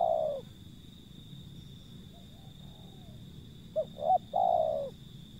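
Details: Wild zebra dove call, opening with the tail of one long coo, then a quiet murmur and another phrase of two brief clipped notes leading into a drawn-out rolling coo, over a constant high-pitched hum.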